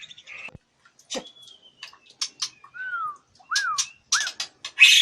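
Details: White-rumped shama at a captive breeding farm in Palembang, sparse song: thin drawn-out whistles, a few downslurred and arched notes, short harsh bursts between silences.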